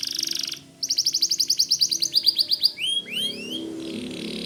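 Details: White canary in loud, constant song, used as tutor song for white-rumped shamas: a buzzy high trill, then a fast run of repeated chirps, ending with rising upward-swept whistles.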